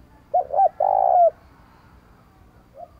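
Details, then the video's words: Spotted dove cooing in the sat boi calling style, used to stimulate and train decoy birds to coo quickly: two short hooked notes followed by one long, steady, slightly falling coo, then a faint short note near the end. "Tiếng Chim Cu gáy Gọi Giọng Sát Bổi - Kích Bổi Tập Chim Mồi Nhanh Gáy"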